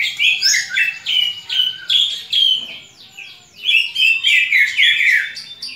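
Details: Greater green leafbird uttering a fighting call to stir other leafbirds' fighting spirit: loud phrases of sharp whistles and rasping chatter in pulsing bursts, a brief lull midway, then a dense closing flurry.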